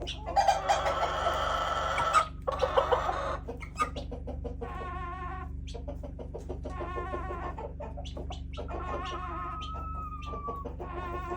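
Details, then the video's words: Backyard chickens making weird sounds: a harsh squawking burst early on, then a series of short harmonic clucking calls about twice per second, with a thin whistled tone near the end over steady low hum. "Weird chicken sounds"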